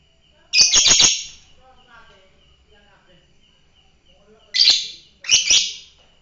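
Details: Piercing, buzzy bursts from a fighter lovebird: a rapid stuttering group of four notes, a quiet gap with faint chatter, then two more harsh grating bursts close together.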